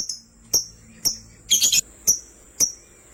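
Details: High, snappy lovebird chirps, one every half second, from sky blue opaline and green opaline birds. A brief buzzy chatter burst sits in the middle.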